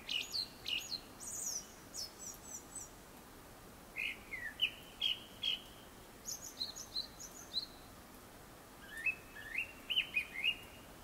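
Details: Before sunset a Japanese thrush sings a varied series of phrases: clusters of quick high whistles, then lower slurred notes and repeated doubled figures, with short silent gaps between bursts over about eleven seconds.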